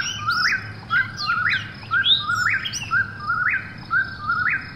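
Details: An Eastern whip-poor-will whistles about five rising, three-part phrases at night, one each second, while other birds add scattered high chirps and sweeping notes over the top.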